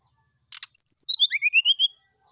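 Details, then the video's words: Brown-chested jungle flycatcher singing in the morning, flute-like sulingan style: two short clicks, then a run of about ten clear whistled notes stepping down from high to lower pitch, each slightly rising, over about a second. "Suara sulingan srdc di pagi hari"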